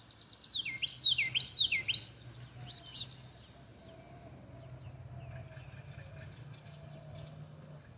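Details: House wren singing in a back yard: a rapid, bubbling burst of descending warbled notes lasting about one and a half seconds, followed by a few softer chips and faint distant bird calls over a low steady hum.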